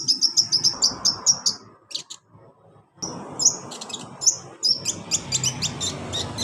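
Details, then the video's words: Olive-backed sunbird (kolibri ninja) singing, used as a lure to coax a lazy caged bird into song: bursts of very high, sharp chirps in quick runs, a short silent gap, then more thin twittering notes over a low background hum. "KONIN TERAPI konin malas bunyi Insya Alloh cepat ikut bunyi"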